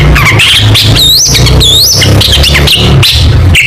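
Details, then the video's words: Long-tailed shrike singing competition-style material: loud whistled notes, rising and falling sweeps, with short harsh squawks, all over a steady low rumbling hum. "Burung Cendet Gacor Full Tembakan Mewah"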